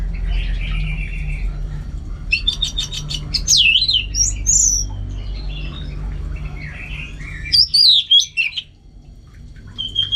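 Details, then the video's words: Orange-headed thrush from North Bali, Singaraja, singing prolifically at home as training for contest fields. A buzzy stuttered series gives way to loud looping whistles that sweep up and down, with a quieter pause in between and a low background hum. "Super Kicauan ANIS MERAH Gacor"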